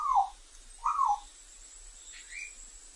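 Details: African grey parrot calling in the wild: two short, loud whistled notes near the start, each slurring downward, then a fainter rising whistle toward the end over quiet background.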